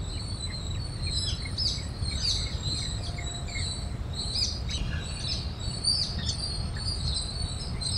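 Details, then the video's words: A flock of parrots feeding on grains at Cubbon Park, Bangalore, Karnataka, keeps up a busy chatter of short, sharp, high chirps and screeches from several birds, over a steady low rumble and a thin insect hiss. "Pandemonium of Parrots"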